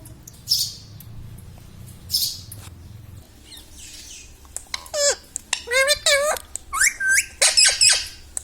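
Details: Talking parrot kept as a pet, saying words such as "Mummy" and "Papa": a few faint soft sounds at first, then a rapid run of bright, warbling, rising-and-falling syllables in the second half.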